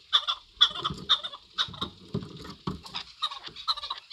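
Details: Harsh clucking chuk notes from a Chukar partridge, repeated irregularly about twice a second, over a muffled low-pitched background noise.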